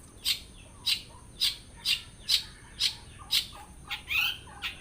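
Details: Blora long-tailed shrike delivering borrowed song phrases: evenly spaced sharp high chirps about twice a second, each paired with a soft lower slur, ending in a buzzy rising note and quicker chirps.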